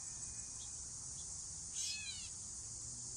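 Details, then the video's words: Gray Catbird outside Hickory Knolls, northern Illinois, late August 2021, gives one nasal, cat-like mew that slurs downward over about half a second, against a steady high hiss of insects. "that is the sound of the cat bird"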